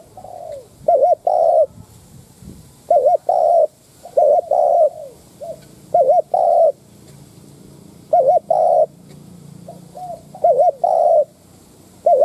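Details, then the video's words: Spotted dove used as a decoy bird, cooing to provoke wild doves: about seven two-part phrases, each a short wavering note followed by a longer, steady mellow coo, repeated at uneven intervals against quiet background. "Tiếng cu mồi đất thúc - gù kích bổi"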